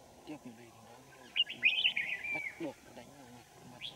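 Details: Red-whiskered Bulbul at Kim Bôi, Hòa Bình, Vietnam, where wild birds are lured with a decoy, winter morning, 3 January 2018; quiet talk, then one fluent rising-and-falling warbled phrase, followed by more low speech.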